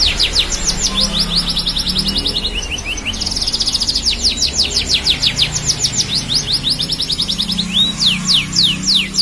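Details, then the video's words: Tame canary singing in gacor style, meaning constant, lively singing: long run of rapid trills and fast down-slurred notes high in pitch, shifting between phrases about every second or two, with a faint low hum beneath. "Suara Burung Kenari Gacor Jinak"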